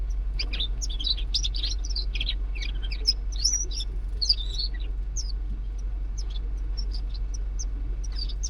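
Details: Zebra finches living in a home aviary give rapid, high, nasal chirps and beeps over a steady low hum.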